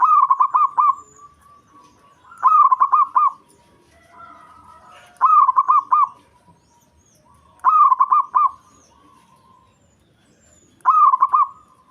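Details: Local Indonesian zebra dove singing to provoke rivals: five bright, stuttering cooing phrases, each about a second of rapid pulsed notes, come roughly every two and a half seconds over a quiet background.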